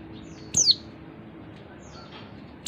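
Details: Single sharp, high, descending chirp of a female oriental white-eye, a call used to get males singing, followed by faint thin notes and the start of another chirp at the end.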